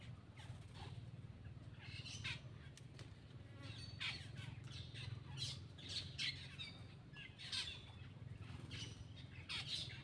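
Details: Black-winged myna eating, giving a run of harsh, raspy squawks and short chattering notes at irregular intervals over a steady low rumble of background noise.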